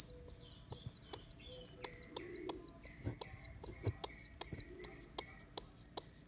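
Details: A rescued baby rock pigeon, on day 2 after being abandoned by its mother, squeaks steadily. The high thin notes rise then drop, repeated two or three times a second, with a few faint knocks underneath.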